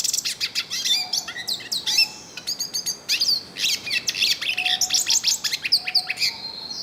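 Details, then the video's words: Wild yellow-faced siskin singing at length in nature in northeastern Brazil: a fast, dense stream of high twittering, buzzy trills and sliding whistles, with a few faint low tones underneath. "PITASSILGO DO NORDESTE CANTANDO MUITO NA NATUREZA - CANTO DO PINTASSILGO DO NORDESTE"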